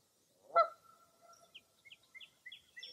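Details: Foggy early April morning at Mirror Lake State Park, Baraboo, Wisconsin: a single loud honk, then a trailing series of soft, evenly spaced high chirps, about three per second, in a quiet setting.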